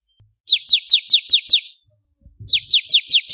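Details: Bar-winged prinia singing, for training other songbirds: two quick runs of about six bright, downward-sweeping high chirps, evenly spaced, with a faint low thump between the runs.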